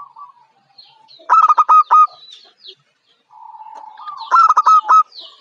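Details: A young local Zebra dove (perkutut lokal), described as bold and ready for contests, gives a soft introductory coo followed by a loud fast series of pulsed notes, repeated twice.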